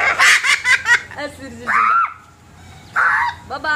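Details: Talking cockatoo at a Batam beach resort in Indonesia laughing: a rapid burst of harsh, pulsed laugh-like notes, then two drawn-out speech-like phrases that rise and fall, with quiet human voices around.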